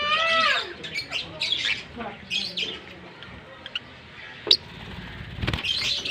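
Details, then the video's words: A green pair of Fischer's lovebirds: a harsh, rising, harmonic-rich squawk opens, followed by scattered high chirps and short twittering bursts, with a low thump near the end. "Lovebird Singing & Chirping Sounds - Green Fischer Pair"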